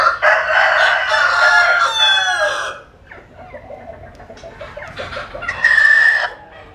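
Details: A Vietnamese rooster resting in the sun lets out a long, loud, ragged crow lasting nearly three seconds; quieter clucks follow, then a second shorter crow rings out.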